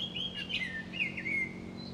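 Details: A Chinese grosbeak sings in Chiba Prefecture, Japan on 3 May 2016: a quick run of clear, slurred whistles that rise and dip, over a faint low hum.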